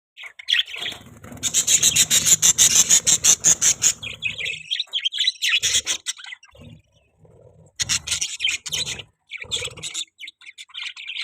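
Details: Budgerigars chirping, pet birds: rapid pulsed chatter of broadband clicks and tweets from about 1 to 4 seconds, then scattered warbling chirps with short pauses.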